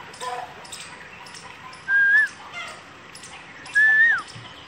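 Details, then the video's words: Asian koel call: two loud, pure whistled notes, each rising slightly before dropping sharply at the end, nearly two seconds apart, with soft clicks and brief faint chirps before them. "Koel Ki Awaz { The Kuku }"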